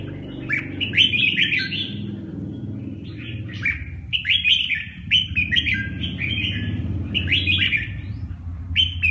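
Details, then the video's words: Red-whiskered bulbul, likely a kept songbird, singing short warbled phrases of rising and falling whistled notes, repeated in bursts, with low background rumble throughout. "chim Chào mào"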